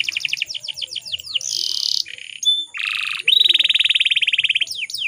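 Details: Female canary in breeding condition, a lure to prompt males to sing: quick falling sweeps, then a harsh buzzy burst, short rattles, and a long fast even trill before more sweeps.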